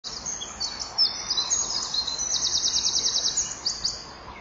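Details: Common kingfisher at its nest, 24 June 2015 at 10:17, as the male arrives with a small fish to feed; the female moves aside; chicks and eggs inside. High, thin chirps build into a fast, even, buzzy trill near the middle.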